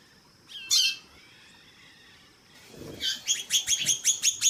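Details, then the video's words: Calling female white-bellied seedeater with a male singing in the background. A faint note and one loud sharp chirp, a pause, then a fast string of repeated ringing chirps building to the end. A soft low rustle is heard once. "Piado de Fêmea de Chorão + Macho cantando no fundo"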